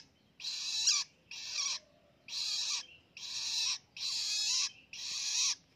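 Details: Young long-tailed shrike, a hand-raised chick now independent, practising its ngelolo vocalising. Six harsh, raspy, hissing bursts, each about half a second long, follow each other with short gaps, with a quiet background.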